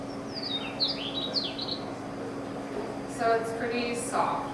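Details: Chestnut-collared Longspur song, from Grasslands National Park prairie, a display song given while descending in flight: a soft, quick jumble of sweet whistled notes sliding slightly downward, followed by a person talking and a steady low hum.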